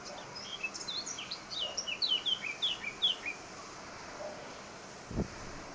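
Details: Eurasian blackcap of the subspecies heineken singing at Sardina de Gáldar, Gran Canaria, on 14 March 2019: a quick run of bright, varied whistled and slurred notes lasting about three seconds, then quiet with one soft low thump near the end.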